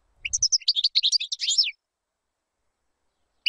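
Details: European goldfinch song for tutoring chicks: one quick, bright twittering phrase of rolling chirps lasting about a second and a half, followed by silence and a single faint note.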